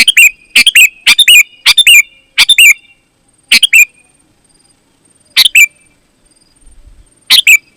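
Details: Energetic sooty-headed bulbul song for calling other bulbuls: a rapid run of bubbly, whistled phrases close together, then spaced phrases after a pause, each ending in a bright downslurred note, against a clean background.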